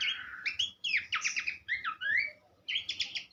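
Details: Horsfield's babbler vocalising as a teaching model for cage birds: fast series of bright, swooping whistled notes in rattling groups, a short pause, then another quick burst of repeated notes.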